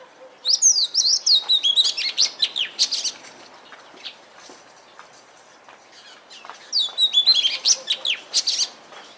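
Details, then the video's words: Oriental magpie-robin singing two bursts of high, rich phrases: quick whistles, sweeping slurs and chattering notes, separated by a pause of about three seconds. "Suara Burung Kacer II"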